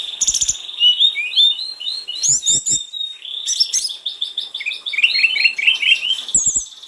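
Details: Energetic snowy-browed flycatcher song, used to stimulate another bird to sing: fast varied warbling with rapid chirps, whistled slurs and trilled runs, plus a few sharp clicks.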